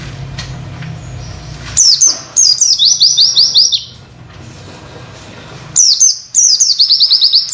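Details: Oriental white-eye masteran song, witwit material for tutoring other birds. After quiet background noise, two rapid bursts of thin, high wit-wit notes sound, each a quick series of repeated downward slurs.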